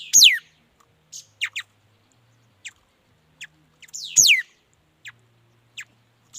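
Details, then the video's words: Mi dat bird singing: two loud, sharp, high whistled notes sweeping steeply downward, about four seconds apart, with short, thin chips scattered between them in an otherwise quiet setting. "Tiếng chim mi đất hót chuẩn"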